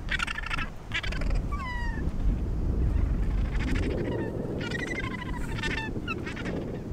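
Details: Scattered Australasian gannet calls at the Point Danger colony, Victoria, Australia: short rasping bursts and a few falling, squeaky notes, heard over strong low wind noise.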